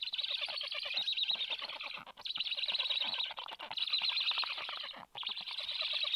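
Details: At a black stork nest on 21.07.22 as a parent arrives with early breakfast: dense, hissing, wheezy calling in rapid pulsed runs, broken by short pauses around two, three and a half and five seconds.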